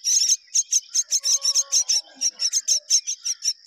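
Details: A myna, one of a pair rearing their babies together, gives high, raspy chirps in quick bursts, about four a second, over a thin steady whine, with faint lower notes in the background.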